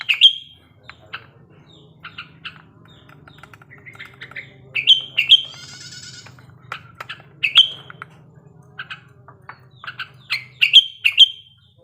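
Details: Breeding-condition sooty-headed bulbul used as a singing lure: bursts of bright whistled notes and chirps every second or so, a brief rattling buzz midway, and a faint low hum beneath.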